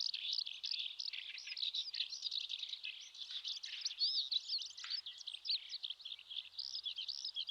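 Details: In May on a Shin'etsu riverbed in Japan, a Eurasian skylark pours out continuous high song: dense, rapid chirping and trilling with brief whistled slurs, sustained without a break throughout.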